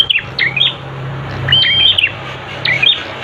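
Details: Master song of a prenjak for training birds to sing: sharp high chirps and a flat sustained whistle ending in quick notes, repeated several times, with a low background hum.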